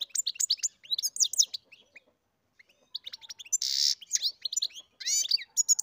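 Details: Goldfinch bred in captivity sings a sparkling medley: rapid chirps, a brief pause, then a harsh buzzy note followed by more tinkling, twittering phrases.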